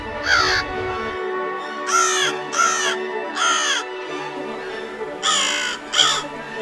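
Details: American crow at a backyard feeder giving six harsh, nasal caws in uneven bursts, some in quick pairs, over a soft steady musical hum.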